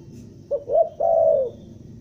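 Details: A single phrase from a Bandung spotted dove lure recording in stuttering style: a brief low note and a soft rising coo, then one drawn-out steady coo.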